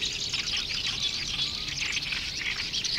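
A continuous, busy stream of high, scratchy chirps and short whistles from a black-browed reed warbler, with a faint hiss of background noise.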